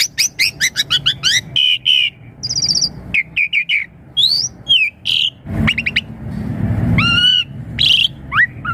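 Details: Asian pied starling song played as a lure for young starlings: a rapid series of short rising chirps, a high buzzy trill, sharp clicks and later a harmonic upslurred whistle.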